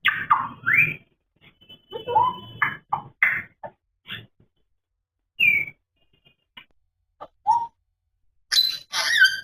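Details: African grey parrot talking: short bursts of speech-like syllables with rising and falling tones, separated by silences, plus a few clear whistled notes and a brief high squeaky phrase at the end.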